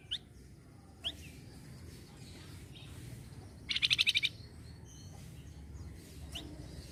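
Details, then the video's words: Flamboyan bird, described as replying straight away to noisy sounds: a sharp chip, another chip, then a tight rattling burst of about seven fast buzzy pulses, and a final thin note, over faint low rumble. "KALO ADA SUARA BERISIK BURUNG FLAMBOYAN INI LANGSUNG NYAUT"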